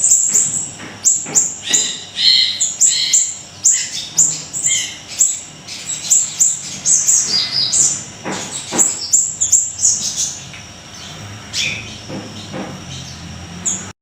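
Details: Small minivet in lively, vigorous song with powerful rapid bursts, kept as a training model for cage birds: thin, very high-pitched chirps and short trills repeated in quick series, sometimes every half second, with a faint hiss underneath.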